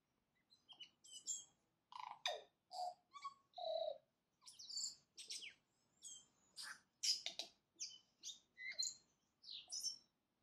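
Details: Tui greeting the new day with a rich mixed song: mellow low whistles, crisp high chimes, clicks and buzzy notes delivered in rapid, evenly spaced bursts throughout, with a soft low murmur behind.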